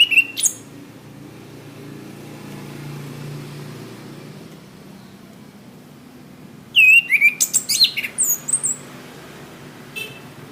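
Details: Master recording of orange-headed thrush song for training caged birds: a short whistled note, a quiet stretch with low hum, then a loud run of varied rising and falling whistles and chattering notes.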